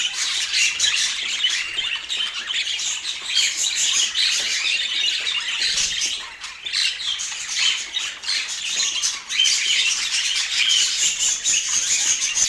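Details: Sustained budgerigar chatter from pet birds in Portland: a long, unbroken wash of high scratchy twitters and squeaks, dipping briefly in the middle before resuming at full busyness.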